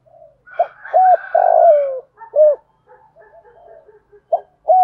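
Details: Spotted dove cooing in the giọng thổ style, used to lure other doves: a low short coo, a rounded coo, then a long buzzy coo sliding downward and a final coo, with faint twittering of other birds between phrases.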